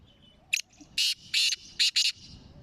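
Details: Black francolin, a Sindhi kala teetar of the chakri wala type from Sindh and Punjab, calling: one short sharp note, then a phrase of harsh, grating broadband notes, two longer rasps followed by a quick doubled pair.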